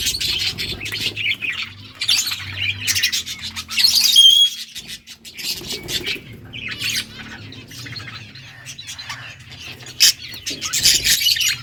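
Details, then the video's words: A group of yellow budgies, filmed August 6, 2024, keeps up busy overlapping chatter of rapid chirps, sharp squawks and brief whistled notes, rising and falling in bursts, with a soft low hum beneath. "Beautiful yellow budgies chirping sounds 💛 Beautiful Australian parrots talking"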